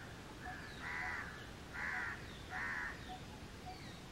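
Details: House crows cawing loudly outdoors: three harsh, raspy caws about a second apart, each lasting under half a second, with faint high chirps from other birds in the background.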